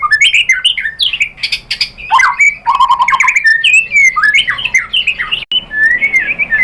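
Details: Loud, dense white-rumped shama lure song for provoking a response: rapid varied whistles, slurred swoops and buzzy chattering notes tumbling together without pause, rich and fast-changing throughout.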